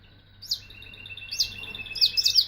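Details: Canary singing: thin high chirps rising toward a faster run of bright, sweeping notes near the end, over a faint steady hum.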